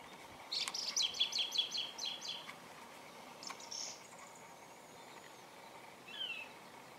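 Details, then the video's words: A thrush calls with a quick run of about eight short, high chirped notes over two seconds, then a lone slurred whistle and a brief high note after a pause, against faint steady background hiss. "Thrush Bird Calling"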